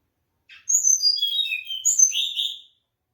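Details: A mangrove blue flycatcher sings a high, clear whistled phrase after a faint introductory note, notes stepping downward then rising into a brief warbled ending, about two seconds long.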